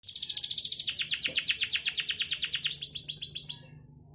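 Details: Canary song used as a lure for canaries that are not singing: a rapid, even trill of bright high notes, about six per second, running for over three seconds with a slight rise in pitch near the end.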